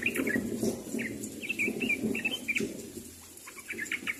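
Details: A sooty-headed bulbul calls to companions with rapid, chattering clusters of brief liquid notes, several bursts each second, over a low rumbling background.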